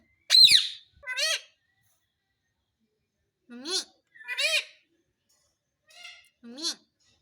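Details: Talking parrot, taught to say "papa", gives a piercing whistle, then several high, scratchy, speech-like phrases in spaced bursts, with a few lower spoken syllables.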